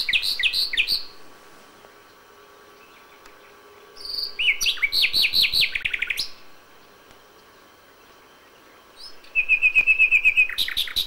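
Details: Nightingale song at dawn in May: separate phrases divided by pauses of about two seconds. It opens with sweeping whistles, then a run of rapid falling notes, and ends in a fast, even trill.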